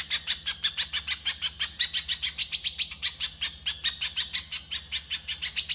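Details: Pijantung pisang singing 'konslet' for masteran: dense, quick string of harsh, high buzzy notes, roughly three or four each second, evenly sustained over a quiet low background hum.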